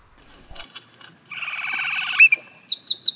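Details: Great-tailed Grackle giving a harsh, buzzy rattle lasting about a second, then a sharp high note and three short, squeaky chips.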